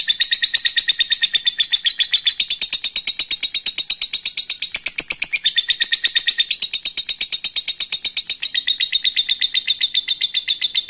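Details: Lovebird giving a long 'ngekek' trill meant to provoke other birds into singing: a rapid, unbroken stream of high, sharp chirps repeated several times a second for over ten seconds, pitch shifting slightly in places.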